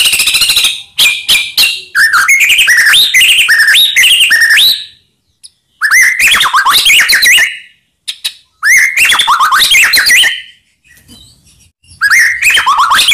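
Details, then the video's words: White-rumped shama song played as a lure to excite silent shamas: dense bursts of loud varied whistles and rapid chips in long phrases separated by short pauses. "Murai Diam Langsung PANAS Dengar Pancingan Ini"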